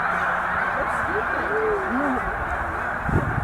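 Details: Snow goose flock of about 100,000 resting at Middle Creek wildlife refuge on migration north; a few distinct curving honks sound over a constant murmuring chorus of more distant calling birds.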